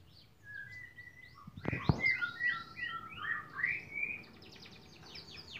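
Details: Canary song from a long-duration training recording for songbirds: strings of rising whistled sweeps and steady mid-pitched whistles, quickly repeated, with a brief low thump early on.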